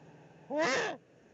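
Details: At an Eifel nest on 13 March 2019, a male Eurasian eagle-owl delivers dinner, probably a pigeon, to the female. A single hoarse, arched, harmonic-rich screech lasts roughly half a second against a faint hiss.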